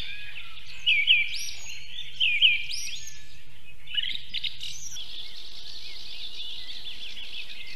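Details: At a South Estonian Osprey nest in Võrumaa, 2022, two clusters of sharp, shrill whistled notes come about a second apart, followed by a quieter, drawn-out hoarse tone as the low hum fades.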